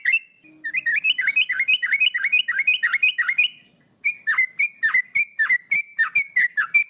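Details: A male sooty-headed bulbul sings lively phrases of quick, downward-slurred whistles, roughly three notes a second, with a brief silent break before a second, slightly slower series.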